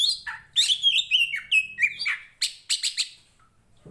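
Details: Oriental magpie-robin, a fighting contest-type bird, delivering rapid whistled notes and slurred downward phrases, several sharp chips repeated quickly, then fading to quiet at the end.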